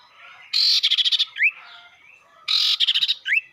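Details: Sirtu bird lure song played to provoke rivals, cipou brondol type: twice, a loud buzzy pulsed rattle lasting under a second is followed by one sharp rising whistle.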